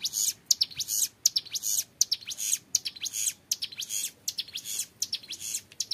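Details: Rapid, unbroken run of high, sizzling chirps and downward sweeps from a young hill prinia singing long 'ngebren', with a quiet background.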